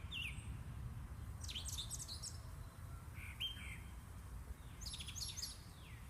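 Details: Birds chirping in a yard: short high sweeping chirps in scattered clusters, with a steady low background hum.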